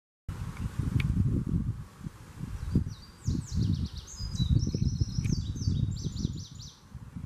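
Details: Indigo Bunting song recorded at Shermerhorn Park, Kansas, on 2 June 2019: high, bright notes in quick paired phrases, sliding down and repeated, over a heavy low rumble of wind or handling noise.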